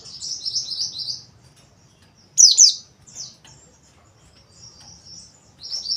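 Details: White-eye singing a fast high twittering trill, then a loud sharp chirp burst followed by softer thin buzzy notes.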